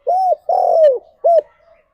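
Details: Spotted dove cooing as a morning song meant to stir mating: three arched, hollow coos in a short-long-short pattern, the middle note drawn out and falling, then a faint trailing coo, with no other sounds.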